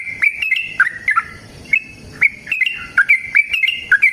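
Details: Sooty-headed bulbul in fighting song, scattered groups of rich whistled notes that slide down then jump up, separated by brief pauses.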